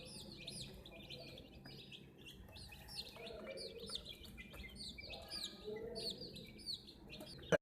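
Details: A group of domestic chicks facing a toy JCB crane produce many sharp, high descending peeps in rapid overlapping series, ending with a sudden click.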